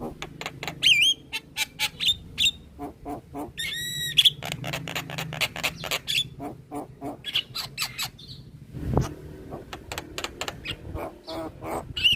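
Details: Chatty song of a head-nodding, white-eyed black-winged myna, recorded to tutor caged birds: quick rasping clicks, a twisting whistle, a rattling buzzy burst, scattered sharp squeaks, and a dull thump midway.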